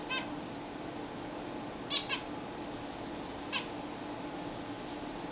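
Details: Pet zebra finches bathing for the first time in a larger new cage: three brief, nasal calls, one of them a quick pair, separated by pauses against constant low background hum.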